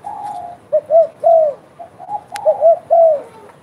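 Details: Spotted dove calling actively, opening with a soft drawn-out coo. Two phrases follow, each two clipped notes and a longer downslurred coo, with a single click between them.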